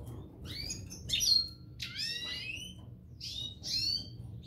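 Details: Pair of parva European goldfinches: bright clusters of descending twittered notes in short bursts about every second, with some slurred downward trills, over a faint low hum.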